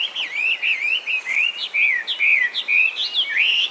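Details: Loud Chinese hwamei song from a wild population in Japan, descended from cage birds: ringing whistled slurs, each rising or falling, delivered in quick succession, about two per second.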